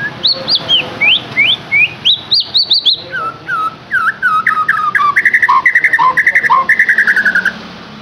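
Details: Captive white-rumped shama singing to stimulate another bird: quick rising and falling whistled phrases, then a fast repeated chattering series of bright notes, all loud and clean with little background noise.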